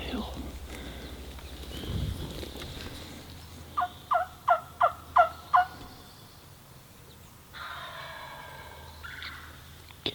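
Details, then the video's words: Wild turkey tom gobbling from the top of a hill on opening day of the 2026 spring season while hunters set up to call him in: a rapid, throaty rattle of about six pulses mid-clip, with rustling and a later hoarse sound. "He just gobbled again. He's still up on top of the hill."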